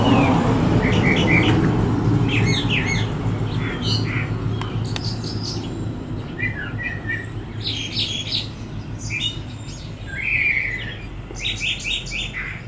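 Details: Brown thrasher singing from a Bradford pear on 23 February 2018 and joined vocally by another bird, giving varied short phrases of chirps and harsh notes with pauses between, over steady low background rumble.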